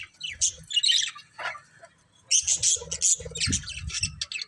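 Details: Several budgies give loud, harsh chirps and squawks in two bursts separated by a short quiet spell, with some low rough sound under the second burst.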